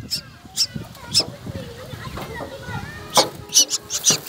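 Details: Hungry black drongo chicks in rural Bangladesh chirping in hope of food: sharp high chirps in short bursts, some thin descending whistles, with low background rumble and faint voices.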